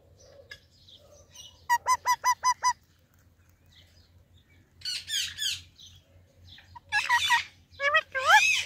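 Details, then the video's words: Indian ringneck parakeet talking while greeting baby parrots: a quick run of six evenly spaced, nasal harmonic syllables, then pauses and bursts of squeaky, warbling, speech-like chatter. "Talking Ringneck Parrot Videos Compilation"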